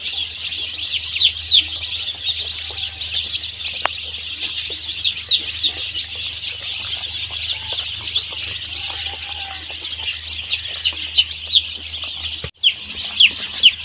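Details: Dense, unbroken peeping from many day-old chicks in a poultry farm, scattered louder peeps, a soft knock, and a brief dropout near the end.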